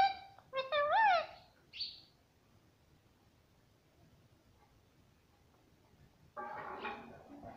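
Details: Pet parrot talking, said to say "mummy papa" and to be very happy today; opens with a quick series of strident, wavering voice-like calls over two seconds, then near silence, then a harsh broadband burst at the end.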